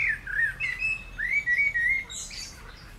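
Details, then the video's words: Blackbird song recorded near reeds with croaking frogs, June 15, 2020: a run of smooth whistled, warbling notes sliding up and down, followed by a thin, higher squeaky twitter. "Kos - jego głos"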